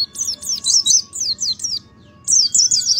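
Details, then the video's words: Oriental white-eye giving nembak ngalas song, with clusters of high, swooping chirps, a short silent gap, then another quick run of bright twittering notes. "PLECI NEMBAK NGALAS"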